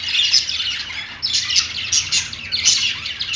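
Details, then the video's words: Budgies on a perch giving rapid chattering song, high squeaky notes and harsh chirps in quick bursts, a short pause then louder squawky phrases. "budgies singing on perch | parakeet chirping sounds"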